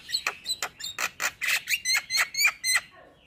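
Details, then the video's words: Steady run of about a dozen harsh, buzzy notes, each carrying a whistled tone, spaced roughly a quarter second apart, from a male Javan myna singing to make other mynas respond. "SuaRA Jalak Kebo Jantan Bikin Burung Jalak Yang Dengar Langsung Ikut Bunyi"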